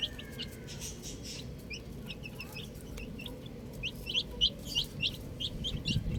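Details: Chicks playing with a ball, a few sparse peeps at first, then a busy run of sharp high descending cheeps in the second half, over a low murmur.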